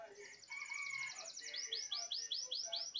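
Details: Belgian canary singing in the countryside: a rapid buzzy trill of high notes, then a run of loud, evenly repeated arched whistled notes about five per second, with faint softer chirps beneath.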